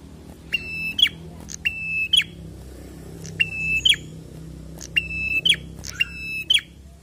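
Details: Prinia (prenjak) singing in the lively "gacor fighter" style: five phrases, each a steady high whistled tone ending in a sharp upward flick, repeated about every one and a half seconds over a low steady hum.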